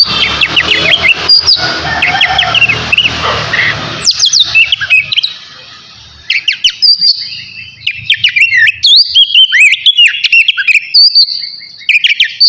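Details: Caged navy oriental magpie-robin singing before a bath; opening seconds blurred by a burst of broad rushing noise, then crisp repeated whistles, clicks and rising chirps resume, fairly continuous to the end.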